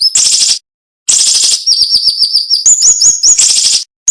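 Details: Siri-siri flowerpecker, recorded as a tutor song for cage birds, singing sharp 'nembak' phrases: harsh buzzy bursts followed by a quick string of high, thin, slightly rising chips and another buzz.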